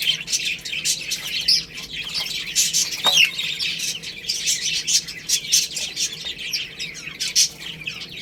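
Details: Cute baby hens pecking at rice and playing: busy overlapping high peeps with one clearer downward-slurred chirp partway through, amid steady rustling.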